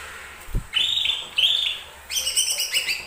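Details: Lesser green leafbird singing, a recording meant to provoke other birds into song: long, bright whistled phrases held high, then a rapid run of ringing, overtone-rich notes, with a faint low thump early on.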